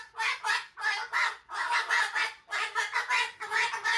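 An umbrella cockatoo gives a series of harsh, raspy coughing bursts, about eight in four seconds, each short and broadband.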